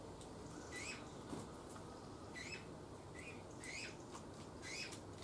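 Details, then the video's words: Eurasian bullfinch at feeding time, 7 June 2020: a run of short, soft piping notes roughly every half second to second, each with a brief upward slur, alongside crisp clicks and rustles and a steady low background drone. "Dompfaff Fütterung"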